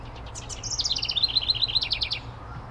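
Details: A house wren, one of a pair nesting in a birdhouse (identification fairly certain), gives a quick, bubbly run of high, chattering notes lasting about two seconds, with faint low background rumble.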